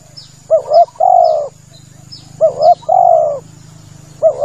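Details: Hunting lure call of a male spotted dove: a quick double-peaked coo leading into a long mellow hoot, repeated roughly every two seconds, over a low droning hum with faint high bird chirps.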